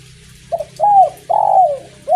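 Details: Spotted dove (derkuku) in soft drizzle, kuk 1 song: double-pulsed intro note, arching coo and long falling coo, the next phrase starting; steady low hum behind.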